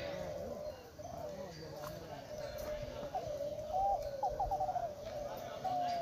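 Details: Spotted doves competing in a 2021 Derkuku Klantan contest held at Gunung Kembar, East Lombok, Indonesia. Mellow overlapping coos hum continuously, and a few clearer phrases rise near the end. Faint voices sit in the background.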